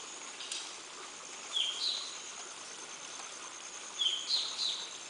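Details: Dark-fronted babblers give thin, high chipping notes in two quick bursts of two or three over a steady background hiss, recorded at Kolne on 23 May 2015.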